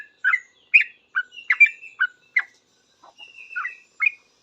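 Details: Sooty-headed bulbul answering other bulbuls with rapid, noisy singing; short bubbly notes about two per second, each a quick slurred chirp sliding between middle and higher pitches, with a few thin level whistles in between.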